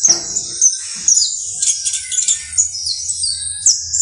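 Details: Canario basto criollo, or saffron finch, singing high wavering whistles and bright chirps, with a buzzy trilled phrase in the middle.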